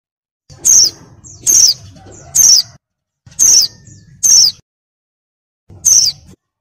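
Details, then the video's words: Oriental white-eye female in breeding mood, calling to draw in a male: six high, thin, descending whistled notes, each under half a second, spaced roughly a second apart with a short pause before the last. "PLECI BETINA BIRAHI NGECIR MANCING SUARA JANTAN LANGSUNG GACOR"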